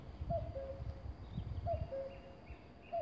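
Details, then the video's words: A male common cuckoo at Konjiška Gora, Slovenia, gives its falling two-note 'cuck-oo' about every one and a half seconds, over low wind rumble and faint distant birds. "Oglašanje ptice - Kukavica - Cuckoo bird sings"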